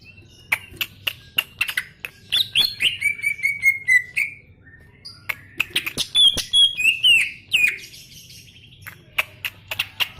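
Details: Greater green leafbird singing energetically: varied whistles and a descending whistled run mixed with many sharp clicking notes and chattering bursts.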